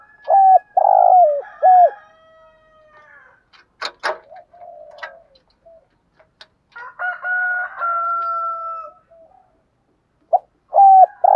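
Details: Spotted doves of both sexes cooing in the morning to prompt decoy doves: loud coo bursts at start and end, sharp clicks and knocks midway, a softer drawn-out coo later.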